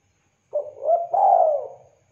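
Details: Spotted dove cooing, used for luring and tutoring birds: a clear, low, mellow coo of two connected notes, the second longer and gently falling, then another note beginning at the end.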